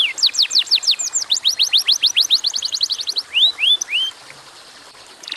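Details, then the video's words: Canary in lively full song, used to coax other canaries to sing: quick series of steep downswept whistles merging into a fast high trill, then two rising slurred notes before falling quiet. "kenari gacor durasi pendek cocok buat pancingan kenarimana pun lansung Yau gacor"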